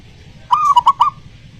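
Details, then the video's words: Single zebra dove phrase meant to tempt a silent dove into singing: a smooth cooing note dropping into three quick, clipped notes, clear against a quiet background. "pancingan perkutut malas bunyi"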